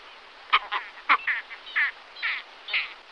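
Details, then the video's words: Great Skua (Stercorarius skua) giving a loose series of about seven harsh, nasal, barking notes over three seconds, some short and clipped, others drawn out and grating. "Большой поморник - Stercorarius skua"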